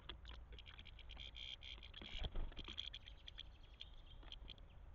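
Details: European goldfinches at a feeder give quick, high, tinkling twitters and short notes against a low background rumble, with scattered soft clicks; when goldfinches arrive, other birds have no chance at the feeder.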